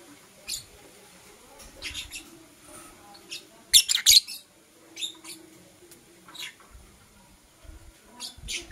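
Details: High, short chirps from blue opaline and parblue euwing opaline lovebirds in the morning, irregularly spaced, with one loud rasping burst midway and soft low rustling in the background.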